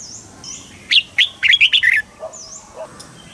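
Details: Red-whiskered bulbul from Thailand singing a southern master-style phrase used to rouse birds and train young ones. A quick string of about six rich, rolling whistled notes, with soft high whistles and lower chirps around it.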